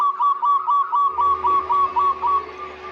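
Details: Local zebra dove lure recording for prompting doves to sing: an even, rapid series of soft rounded notes, around four per second, fading slightly toward the end over a constant low hum.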